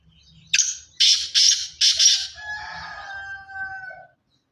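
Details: Pure Sindhi black francolin of the chirki lineage giving a loud call of four harsh, buzzy, broadband bursts in quick succession, trailing into fainter drawn-out tonal notes, with low rumbling background.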